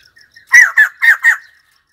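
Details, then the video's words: White-crested laughingthrush calling: four loud harsh squawking notes in quick succession, each dropping slightly in pitch, after a few faint soft notes; clean, quiet background. "White crested laughingthrush call 49"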